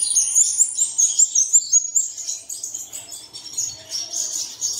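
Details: Song meant to coax caged birds into singing early in the morning: a fast series of sharp, high chirps at the start, then softer overlapping twitter.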